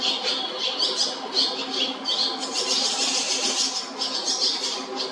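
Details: Young Barn Swallows in their nest at JR Shinodayama station, Japan: a steady, high-pitched wash of thin twitters and chirps from several chicks, with no pauses.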